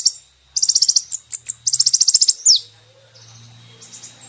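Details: Song of a brown-throated sunbird, recorded for training caged birds: two dense bursts of high, rapid metallic notes split by single chips, ending in a down-slurred note, then faint scattered high notes over a low hum.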